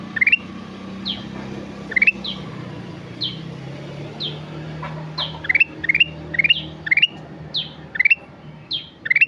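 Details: Energetic song (gacor) of a sooty-headed bulbul: scattered high falling slurs and quick ascending chirp triplets, sparse early then denser later, over a steady low hum like distant traffic.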